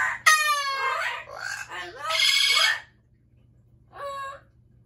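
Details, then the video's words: Loud calls from pet Amazon parrots kept indoors: a harsh, rich-toned scream followed by bending, warbling squawks, then silence and a short nasal call near the end; a faint steady hum runs throughout. "Loud Parrots | Amazon Parrot"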